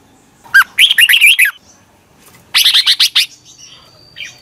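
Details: A red-whiskered bulbul trained to sing in the morning sings two bright bursts of quick, warbling, whistled notes, each about a second long, with a short pause between.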